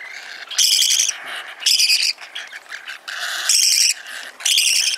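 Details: Hand-tame parakeet chick in Fukuoka Prefecture, Japan, calling as it eats: four loud buzzing, rasping begging cries about one second apart, with softer wheezy chatter between them.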